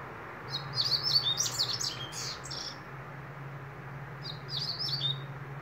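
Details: A double-collared seedeater (coleiro) sings two quick phrases of a "bradok"-style song, high, twittering and slurred, each about a second and a half long, over a steady low electrical hum.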